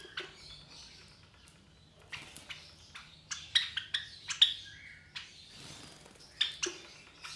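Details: Three captive Java sparrow chicks about 23 days old, offspring of white Java sparrows, give high, thin chirps and squeaks at irregular intervals, clustering into a busier burst midway, with scratchy rustling and clicks between calls.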